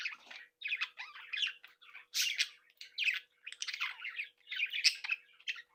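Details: Happy chatter of a captive budgerigar breeding flock: nearly continuous raspy warbling with interleaved chirps and a few louder squawks, several birds calling together.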